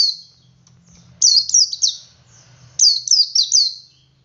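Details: A male Oriental white-eye gives ngalas song that prompts other white-eyes to join in. Two clusters of three to four high, thin, downslurred notes, separated by a short pause.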